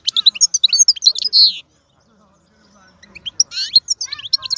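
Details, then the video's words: Wild European goldfinch singing powerfully: a dense burst of high tinkling twitters and a harsh buzzy note, then more than a second of near silence, then lively chattering trills resume. "تغريد الحسون خلوي ممتاز.هذا مقنين هو الأكثر قوة بين الطيور"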